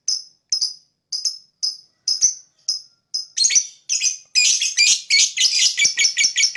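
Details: Lovebird chirps meant to attract other birds: evenly spaced sharp high chirps that speed up and thicken into a dense run of harsh, broadband chattering notes toward the end.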